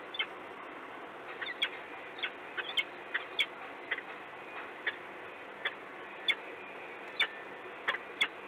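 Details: Peregrine falcon recorded in Gdynia, Poland, on 26 February 2016 at 09:19 in the morning: short, sharp clicking calls repeated irregularly, sometimes in close pairs, over faint steady background hiss.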